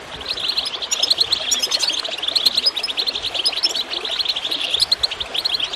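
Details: Goldfinch chirping meant to set other birds singing. An unbroken, busy stream of high twitters and buzzy trills continues throughout, with faint running water behind.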